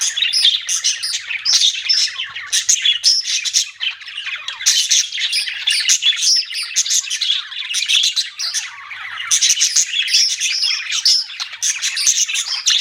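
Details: Budgerigars twittering without letup for about thirteen seconds, a rapid, overlapping mass of high chirps and squeaky squawks.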